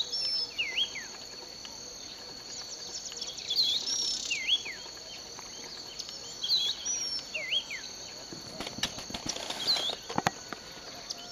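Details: Birdsong from a sugarcane field in Bulechia, Western Kenya, recorded December 2011: repeated short looping whistles and thin high upslurs every second or two above a shrill insect chorus, with rustling near the end.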